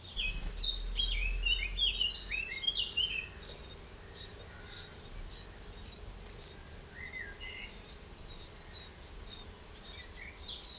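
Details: Garden recording from Burgundy's Châtillonnais, France, 2 June 2023, of a Eurasian wren: a long series of bright, very high clipped notes given about twice a second, with descending lower chirps early on and again near the middle.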